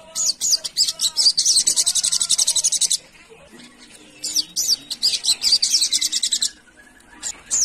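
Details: Sunda pygmy woodpecker, locally sogon, calling as a lure for wild birds: a very high, rapid chattering trill of sharp notes lasting about three seconds, a pause, then another long trill and a third beginning at the end.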